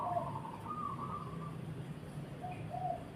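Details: Zebra dove singing with short mellow coos and a longer higher cooing phrase, then two more spaced coos, set against constant low-pitched background hum.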